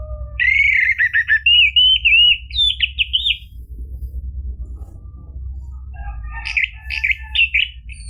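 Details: Orange-headed thrush song used to coax a caged bird into singing: a loud stretch of rapid slurred whistles and trilled phrases, a quiet pause, then another run of varied chirping notes, with a constant low hum beneath.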